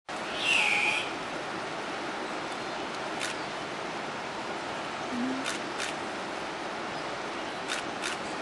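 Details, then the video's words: An Andean cock-of-the-rock displaying at Refugio Paz de las Aves, Ecuador, gives one loud, harsh, squealing call slurring downward, followed by scattered sharp clicks and a steady hiss of forest background. "Andean Cock-of-the-Rock"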